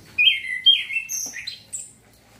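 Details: Orange-headed thrush singing, played to arouse breeding urge so the bird sings readily: a few loud, rich whistled phrases dropping in pitch, then a short burst of higher, thinner notes, with quiet background.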